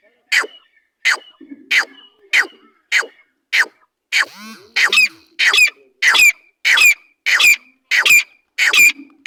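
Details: Partridge (teetar) kept by its owner, calling in a long, regular run of harsh grating notes, roughly one every half second. The notes grow louder and more ringing toward the end, with a faint low sound between some of them.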